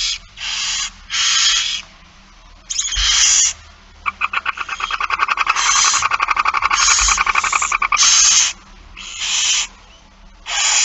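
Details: Barn owl begging during feeding, 8 September 2019 at 16:02: long broadband hissing bursts alternate with a fast rattling series of clicky pulses, about four per second, rising in loudness before more hisses.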